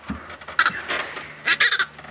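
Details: White-bellied bustards near Sabi Sand, South Africa, on an afternoon drive on 8 February 2018 give two bursts of harsh, croaking notes about a second apart, answering a played call, possibly as a potential rival, over a faint low hum.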